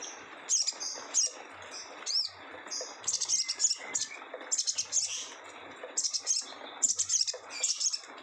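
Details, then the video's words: Sogon, the Indonesian songbird, singing a harsh, rough chattering song: dense bursts of high buzzy notes and short whistles, strongest in rapid clusters after the third second, with faint background noise throughout. "sogon ngeriwik kasar"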